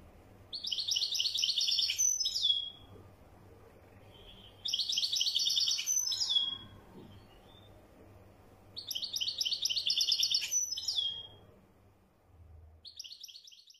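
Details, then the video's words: Wedyani European goldfinch singing four bouts of rapid, tinkling, high twitters, each roughly two seconds long and finished with a falling slur, separated by quiet gaps of about two seconds. "تغريد لطائر حسون ويداني"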